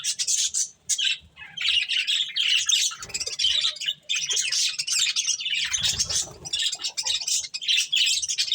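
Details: Budgerigars chirping while they feed on corn: continuous high, scratchy warbling and tweets from several birds, nearly unbroken, with a brief low bump of handling noise midway.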